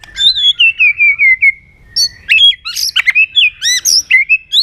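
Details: White-rumped shama giving fighting song with tail-flick clicks and double notes, meant to fire up aggression: a falling series of clear whistles, then loud sharp clicks and bright rising-falling whistled notes in quick bursts.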